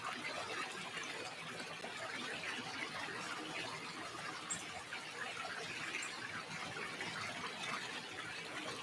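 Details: Continuous gushing, water-like hiss with a few faint clicks, and no animal voice anywhere.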